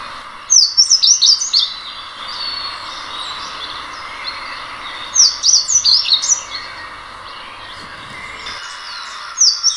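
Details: Song of the slate-blue seedeater, known as negrinho mexicano: a high, tinkling phrase of rapid sliding notes, repeated about every five seconds, with a steady hiss behind.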